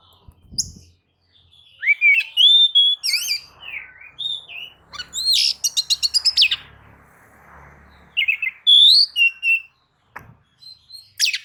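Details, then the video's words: Oriental magpie-robin singing vigorously as a lure song meant to provoke other birds to sing: looping slurred whistles, a fast burst of clicking repeated notes midway, faint low background rumble, then more bright upslurred whistles. "kicau pancingan kacer gacor"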